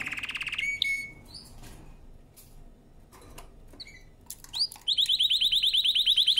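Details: Canary singing for training: a short rapid trill and a clear whistle, scattered soft chirps and a quiet gap, then a loud fast trill of repeated high notes at the end.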